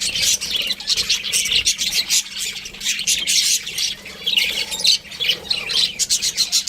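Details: Budgies kept as pets give a busy stream of high, scratchy chirps and warbling chatter, notes tumbling over each other without pause, loudness rising and falling in quick bursts.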